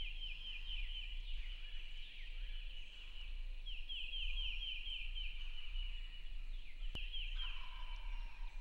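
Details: Male wild turkey gobbling from the roost on opening morning of turkey season, in the rain, about 150 yards from camp; distant rattling gobbles over steady rain hiss and low rumble.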